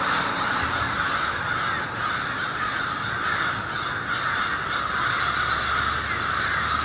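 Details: Over 1500 American and fish crows calling at a winter communal roost before dawn, beside the Merrimack River, Lawrence, Massachusetts, in a dense, unbroken chorus of harsh overlapping caws blending into a steady roar.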